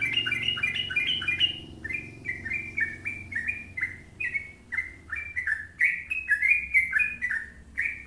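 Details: Gacor trucuk, the sooty-headed bulbul, in long ropel singing: a steady chain of bubbly, slurred whistles, each dipping then rising, delivered about twice a second without break for eight seconds.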